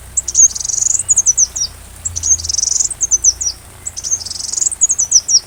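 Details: Sunbird song used as training material for a white-rumped shama: bursts of fast, shrill, high-pitched twitters followed by short runs of descending chips, repeating about every two seconds, with a soft low rumble behind.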